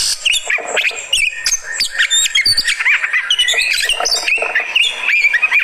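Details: Short burst of excited singing from a kacer (Oriental magpie-robin) of fighter type in reaction: jumbled squeaky whistles, fast chips and slurred notes.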